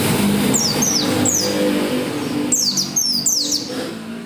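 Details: Oriental white-eye in persistent song meant to set other white-eyes singing; thin, high descending chirps in quick clusters over a loud low rumble like passing traffic.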